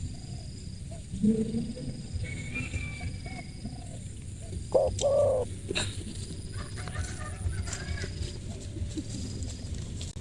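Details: Spotted dove (tekukur), described as having a crisp voice, gives a few low, soft coos near the start and a brief louder coo midway, all set against a steady hiss of background noise.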